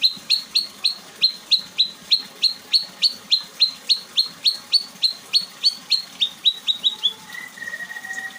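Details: White-rumped shama in 'bongkar isian' display: a long run of identical sharp upslurred notes repeated about three times a second, then a short quieter flourish and a faint drawn-out lower tone.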